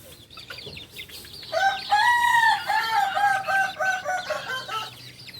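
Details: Kukuak Balenggek rooster, a singing chicken native to Solok, giving its tiered dawn crow: a long harmonic crow broken into several stepped, wavering segments lasting about three seconds, small birds twittering faintly behind.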